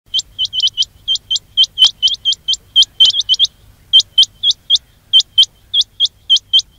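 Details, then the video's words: Quail calling sound used to lure quails for trapping: sharp, high, hooked chirps repeated rapidly in uneven bursts, sometimes doubled or tripled, on a near-silent background. "quail batair ki awaz"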